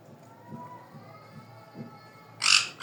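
Sun conure chicks: after a quiet stretch with faint thin whines, one harsh, shrill screech bursts out, followed by a second brief squawk.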